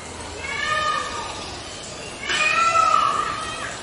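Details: A white peacock utters two nasal, cat-like wailing calls, the second louder and longer, with a brief quiet gap between them.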